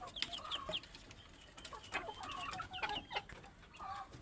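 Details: Chubby chickens produce quick high falling peeps and short clucks, densely overlapping with clicking and pecking noises.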